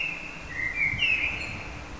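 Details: A common blackbird gives one mellow, fluting phrase of slurred whistled notes that dip and rise, ending in a short thin squeak, with a low background hum.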